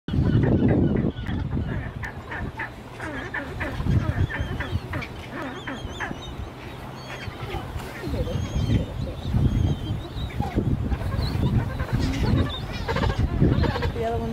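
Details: On the Antarctic Peninsula, Gentoo penguin chicks chase their parents for food, giving harsh, honking, low-pitched begging calls that overlap in quick bursts within a busy, noisy colony over a steady rumble of wind.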